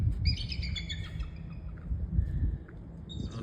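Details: Bald eagle that has just flown into trees and is perched out of sight gives a quick run of thin, high, squeaky piping notes, weaker than expected, over steady low wind rumble.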